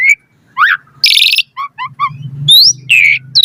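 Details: Lively Asian pied starling song meant to prompt quick replies from caged birds: isolated rising whistles, a harsh wheezy burst, triplets of short chirps, and a bright upward slur.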